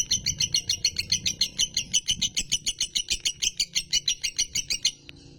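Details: Male champion lovebird singing in the konslet style: a fast, steady string of harsh, high chirps, about four per second, running for five seconds before stopping abruptly, with faint low room noise.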